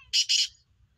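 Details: Black francolin voice during the breeding season, two loud, harsh, buzzy bursts in quick succession, each lasting a fraction of a second, followed by quiet.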